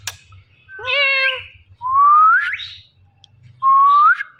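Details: Pair of pet Indian ringneck parrots, male and female, on a door in the morning. One wavering harmonic call is followed by two strong whistles, each sweeping steadily upward.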